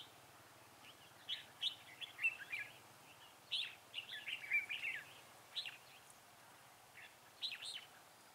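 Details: A red-whiskered bulbul sings in a trapping session at Vườn Táo, 19 December 2016. Short bursts of lively, bubbling whistles are separated by pauses of about a second, against faint background hiss.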